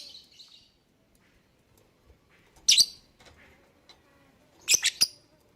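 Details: Lovebird lure recording meant to make other birds sing along: a faint high chatter at the start, then two loud, shrill, harsh chirps, the second a quick double, over a quiet background.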